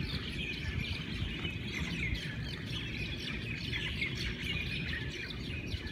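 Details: Lively morning chorus of Hawaiian birds: rapid chirps, short squawky notes and whistles overlap continuously from many singers, with low rumbling background throughout.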